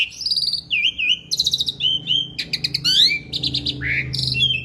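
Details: Asian pied starling singing busily: a varied medley of warbled whistles, short buzzy trills, rising and falling slurs and clear chirps, running almost without a break.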